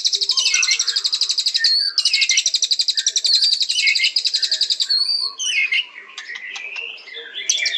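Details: A white-rumped shama delivers a long, loud, high pulsing trill broken by short pauses, then switches to varied warbles, squeaky whistles and chattering notes.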